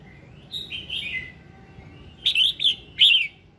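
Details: Red-whiskered bulbul giving its morning song to encourage others to sing: a softer, sliding whistled phrase, then three clipped, bright warbled notes in quick succession.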